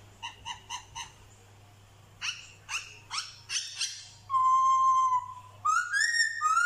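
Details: Black-throated laughingthrush from Vietnam singing imitations of dogs, cats and chickens. Short, evenly spaced, barking harmonic notes in two series give way to a long, steady, pure whistle and then rising slurred whistles, over a faint low hum.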